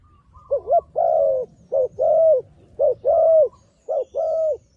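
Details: Decoy dove luring wild doves toward a trap, cooing steadily: four phrases in a row, each a quick wavering note and then a longer level coo, roughly one phrase per second with short gaps.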